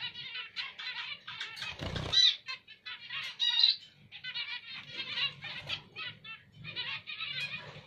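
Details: Zebra finch, called emprit Jepang in Indonesia, singing repeated buzzy nasal phrases about once a second, with a brief noisy thump near two seconds and a low hum.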